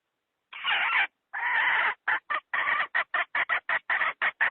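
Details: Hen's decoy call used by trappers to draw in wild fowl. Two long, drawn-out raspy squawks come first, then a rapid run of short, clipped cackles that speed up toward the end.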